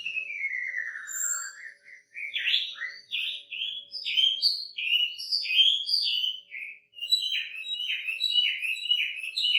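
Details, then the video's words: Wambi bird in lively singing with a rich varied repertoire: it opens with a long descending slurred whistle, then gives a quick run of short high chirps and bright clipped notes with tiny gaps between them, and nothing else is heard. "Burung wambi gacor isian mewah"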